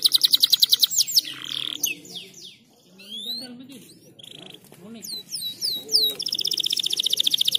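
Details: Canary in breeding condition, song played to encourage quick mating; rapid high trills of repeated notes open and close the passage, broken in the middle by scattered swooping notes and faint low voice-like sounds.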